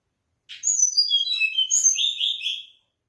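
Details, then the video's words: Song of the mangrove blue flycatcher: a short buzzy note, then thin high whistles cascading downward and a lower warbled ending, one clean phrase in quiet surroundings. "mangrove blue-flycatcher bird"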